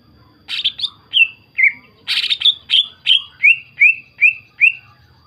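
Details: Lure song of a greater green leafbird meant to set other leafbirds singing; harsh broadband squawks open the phrase, then a steady run of clear descending chirps, about three per second, grows gradually lower.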